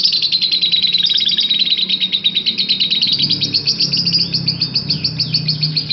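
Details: Caged parblue lovebird giving long chatter, known locally as ngekek panjang: a rapid, continuous rattling trill of high notes, steady and unbroken throughout, with faint low hum beneath.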